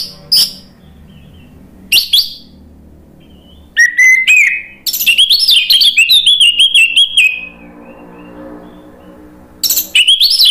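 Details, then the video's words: Orange-headed thrush song used as a lure to provoke another bird into answering: sharp high chirps, then a dense run of rapid, shifting whistled notes around mid-high pitch, pausing before more bright chirps at the end. "PANCINGAN ANIS MERAH biar EMOSI jadi NYAUT BUNYI GACOR NGEPLONG"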